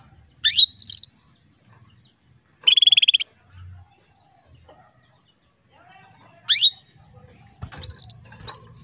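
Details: Female canary calling to a male to stimulate him into breeding condition; sharp rising whistled sweeps with short following notes, a rapid buzzy trilled burst, then more sweeps and clipped calls, separated by quiet gaps with a faint low hum.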